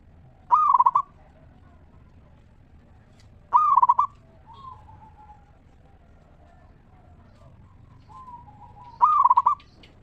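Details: Song of a local zebra dove in 'ngeristal' style, played to coax other zebra doves to sing. Three loud, fast-stuttering coo phrases come roughly three to five seconds apart, with quiet sliding coos between.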